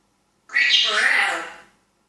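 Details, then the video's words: Talking African grey parrot giving one loud, harsh, noisy screech lasting over a second and fading at the end. "Talking African Grey parrot"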